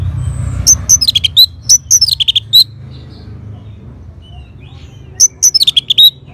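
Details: Orange-headed thrush from Singaraja, North Bali, responding to a lure sound with two bursts of quick, sharp, high whistles and descending slurred notes, each burst about a second and a half, separated by a pause.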